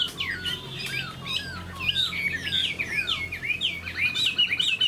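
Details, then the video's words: Tame caged Chinese hwamei, a spread-tailed songbird: a varied, fast run of clear whistles with swooping slurs and rising-falling phrases, growing louder and busier toward the end, with a faint low hum beneath. "Chim họa mi thuần đuôi xòe"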